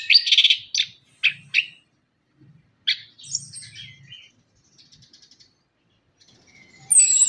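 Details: Orange-headed thrush (anis kembang) lure song: a rich warbled opening followed by a series of short sharp chirped notes, softer high twittering, and a high rapid trill at the end.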